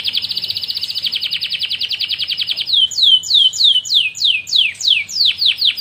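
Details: Singing canary, used to coach other canaries: a rapid even trill for over two seconds shifts into slower, louder down-slurred whistles repeated roughly twice a second.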